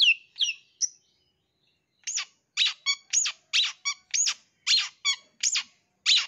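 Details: Wild-caught young long-tailed shrike, used as a lure for other birds: a few sharp high notes, a pause, then a fast run of clipped harsh chirps and short buzzy notes, repeated about twice a second.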